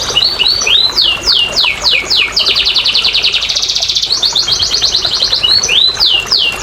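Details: Canary singing, intended to spur lazy canaries: swooping falling whistles, a loud rapid trill for about two seconds, then more quick descending and rising notes.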